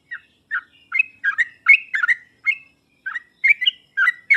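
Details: Sooty-headed bulbul singing, used to prompt reluctant bulbuls to respond: a lively series of short, liquid chirps and two-note warbles, roughly two or three per second, with a brief gap near three seconds.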